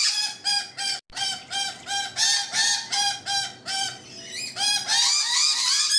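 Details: Rainbow lorikeets on a balcony: a rapid run of short, nasal, harmonic squawks repeated about three times a second, broken by a brief pause, ending in a denser burst of raspy screeching.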